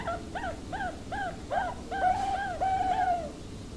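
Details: Zebra dove of the Bangkok cristal line giving a series of short rising-falling cooing notes, then two longer drawn-out coos, with steady low background hum.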